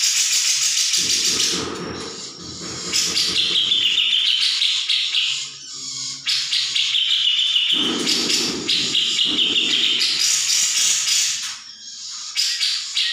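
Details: Grey-cheeked bulbul in a training recording meant to prompt other birds to respond; long loud bursts of harsh, buzzy chattering with bubbling high notes and lower rapid rattles, broken by brief pauses.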